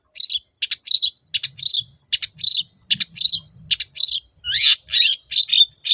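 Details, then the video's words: Long-tailed shrike (cendet) singing steadily, played to stir quiet shrikes into song: a continuous run of harsh, buzzy chattering notes about three per second, some sliding downward, with faint low rumbling beneath. "BURUNG CENDET GACOR TOET-TOET, memancing cendet macet kembali gaco"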